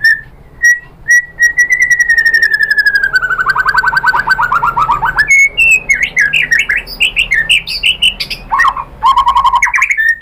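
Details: White-rumped shama singing loudly to provoke other shamas into song, with varied learned material: a few clear whistles lead into a long rapid trill sliding downward, then jumbled chirps and a low fast rattle.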